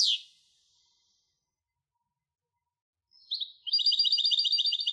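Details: A single sharp high note from a European goldfinch hybrid, then a long silence, then a quick run of evenly repeated high trilled notes in a clean recording.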